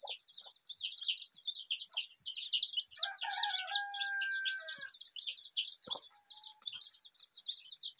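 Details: Colourful desi chicken chicks, the local breed, in a dense chorus of high, rapid, downward-sweeping peeps. Partway through, a short lower harmonic call rises over them, then the peeping carries on unbroken.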